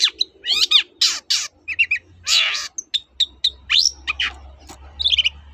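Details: Long-tailed shrike in lively song meant to prompt quiet shrikes: scratchy rasps and steep downward sweeps alternate with low chatters, short whistled notes and a closing cluster of rapid twitters.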